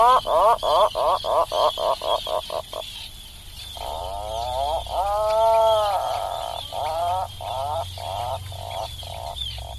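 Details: Atlantic puffin producing a quick train of pulsed growling notes, then a long swelling, arched moan and a further stuttering run of short pulses, with a low rumble underneath.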